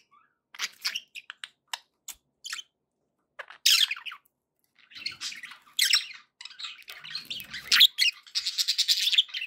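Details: Pet budgerigars giving scattered short chirps and squawks, then building into a denser burst of buzzy, warbling chatter toward the end, indoors.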